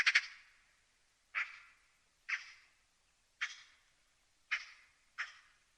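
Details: Magpie calling: harsh, rasping single chacks with a noisy burst at the start, then spaced roughly one second apart, six calls in all, in an otherwise quiet setting.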